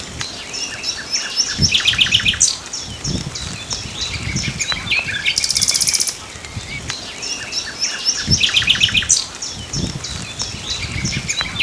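A common nightingale sings rich, varied phrases of rapid repeated notes, sharp chirps and a fast buzzy rattle. Low rumbles from wind or handling sound underneath.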